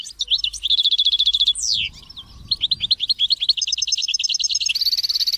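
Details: Goldfinch song meant to encourage goldfinches to sing, with chicks chirping: a rapid rattling trill of high repeated notes, a sweeping downward slur, then fast even twittering that shifts into higher buzzy trills.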